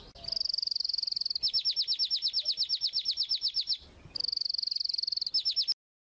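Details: Crested pet canaries during mating, singing a steady high buzzy tone that breaks into a rapid, regular trill of sharp repeated notes, pauses briefly, then repeats the buzzy tone and a short trill.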